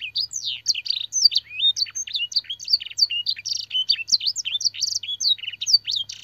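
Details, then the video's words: Training master song of a canary with blackthroat and sanger phrases. Busy high-pitched whistles, rising and falling slurs and short buzzy notes follow each other without a break, with a faint low hum underneath. "burung kenari gacor isian blackthroat dan sanger - suara masteran burung kenari"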